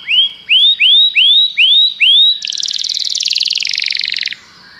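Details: Common canary song opening with six rising whistled slurs spaced evenly, then switching to a dense, buzzy high trill lasting about two seconds before stopping.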